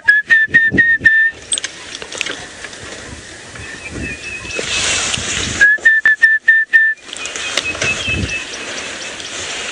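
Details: Orange-breasted Bushshrike, an elusive ventriloquial bird, gives two quick runs of about six clear, level whistled notes on a sunset drive, 2 January 2018, Sabi Sand, South Africa, after rain; a man talks and an engine rumbles between.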